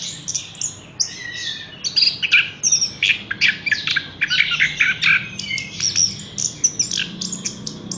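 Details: Horsfield's bush lark delivering a stream of short sharp chips and ticking notes, rhythmically repeated, mixed with brief high whistles.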